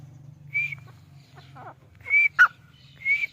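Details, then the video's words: Grey francolin (Dakhni Teetar) in Pakistan giving three bright whistled notes about a second apart, with a short clicky note between, over a steady low hum. "Dakhni Teetar | Teetar Ki Awaz | Teetar Sound | Teetar Voice"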